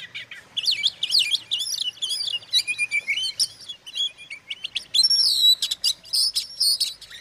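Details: Magpie-robin lure song for provoking rivals: lively mix of scratchy chatter, downward-slurred whistles and clear piping notes, building to bright, high ringing phrases near the end.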